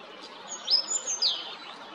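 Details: European robin recorded on 13 April at Jarun, Zagreb, Croatia: two thin, high whistled phrases with sliding, descending notes around the middle of the clip over faint background hiss.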